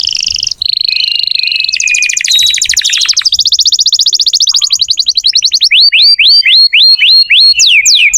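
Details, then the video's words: Canary singing continuously to prompt young or stalled canaries. Trilled rolls shift pitch into a fast rattling trill, then rising whistled notes repeat about three times per second. "Kenari gacor untuk pancingan kenari muda atau macet bunyi"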